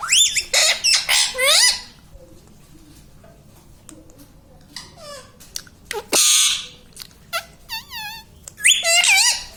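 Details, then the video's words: Parrot kept as a pet, shown talking "mummy papa": a rapid series of bright, arching syllables, a quiet stretch with soft clicks, a broad hissing burst, then wavering whistled notes and a final screech. "Parrot talking mummy papa || mithu mithu || मम्मी पापा बोलने वाला तोता"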